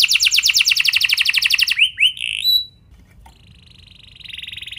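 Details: Canary trigger song (pancingan) for prompting other canaries to sing: a rapid rolling trill lasting nearly two seconds, then slurred whistles and a soft, steady whistled tone at the end.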